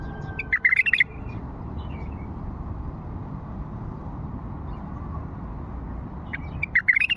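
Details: Old Fawi bulbul song: two brief bursts of sharp, rapid whistled notes, one near the start and one at the end, separated by several seconds of steady low background rumble.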